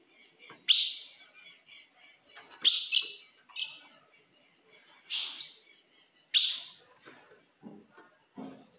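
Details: Ultramarine grosbeak female calls, used to provoke a male: five loud, sharp, abrupt chips at irregular intervals of one to two seconds, with fainter soft ticks between them.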